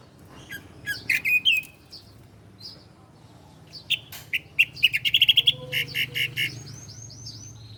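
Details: Bar-winged prinia (ciblek) song used as a master track for cage-bird training: scattered high chips build into fast trills and evenly spaced chirps, ending in a string of thin upslurred whistles; low background hum.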